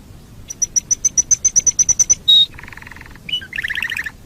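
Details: Canary master recording for tutoring birds: about fourteen evenly spaced pure high pips, a held note, a low buzzy trill, a short whistle, then a quick warbled trill.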